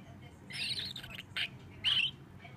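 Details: Juvenile starling perched on a person's shoulder, drowsy and occasionally dozing off, giving soft scratchy chitter-chatter: a buzzy burst, a short sharp note, then a louder rasping squeak over low background hum.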